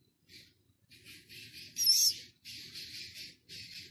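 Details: Six-day-old Philippine scops owl chick in captivity at Prague Zoo, 13 August: a run of soft, breathy hissing wheezes in short bursts, broken by one louder, sharper shrill screech midway, with faint low background rumble.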